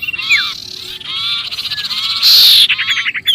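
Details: Brief burst of sirpu distress calling, as though trapped, for luring birds: a sharp falling whistle, buzzy chatter, then a loud harsh screech and quick rattling notes.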